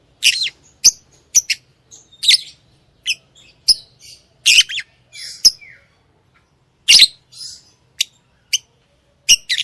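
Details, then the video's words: Chirping lovebird giving loud, harsh, high-pitched chirps and squeaky notes in uneven clusters, some grouped in quick pairs, over near silence. "Love bird Singing and Chirping sounds|| Amazing sound of love bird"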